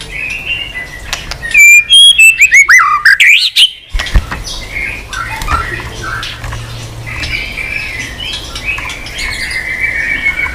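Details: White-rumped shama singing with many unusual notes, flicking its tail on a perch: a burst of loud, clear whistles sliding up and down for about two seconds, then faint chatter under steady background noise.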